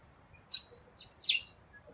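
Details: Rainbow lorikeet (Trichoglossus moluccanus) producing a short burst of high, shrill chattering notes, with a sharp squeal and a rasping downward screech near the end, over faint low background hum.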